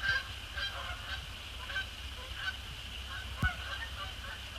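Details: Canada geese, resident and migratory, flying across a post-sunset sky on 2 December 2017 to splash down on Sapsucker Woods Pond; short nasal honks repeated about every half second over a steady high hum and low rumble, with one sharp knock.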